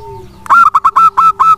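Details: Local wild-type zebra dove singing, used as a lure to get lazy doves to answer and sing: after a quiet start, a quick series of six loud, harsh, clipped coo notes, each short and evenly spaced over about one second, over a faint steady hum.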